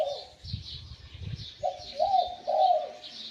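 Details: Wild-caught spotted dove kept as a decoy bird, with a medium-to-deep voice in the Liu Tan style. After a quiet start, low mellow coos run together into a rolling three-part phrase, while high chirping birds twitter in the background.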